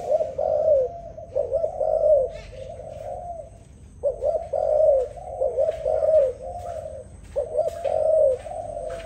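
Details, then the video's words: Dove coos in low, mellow, throaty phrases of a second or two each, repeating in three bursts over several seconds, with faint background hiss. "Sound dove singing, Lovely dove Singing so beautiful."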